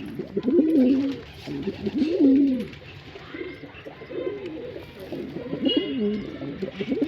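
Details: Deep, throaty cooing from a male pigeon, delivered in four or five swelling bursts about a second apart, each a warbling rise-and-fall phrase separated by brief quiet.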